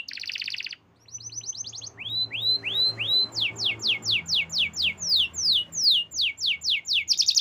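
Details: Canary song said to be forest birds chirping: a buzzy opening, a quick trill, curved whistled upslurs, then a long rhythmic run of loud falling notes and a closing buzz.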